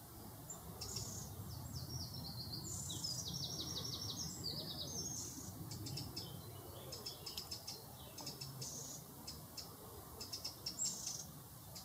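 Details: Wren song: rapid high-pitched trills and tinkling notes delivered in fast bursts, strongly repeated over a steady low background rumble.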